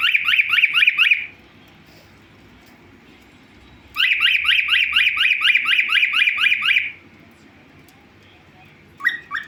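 A cockatiel gives loud, rapid rising screeches in bursts, calling for attention.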